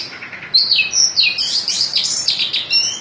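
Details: White-breasted oriental magpie-robin singing in the full 'ngobra' style with a 'muter muter' (circling) delivery: bright, high whistled phrases and fast slurred trills that run together continuously after a brief quiet start.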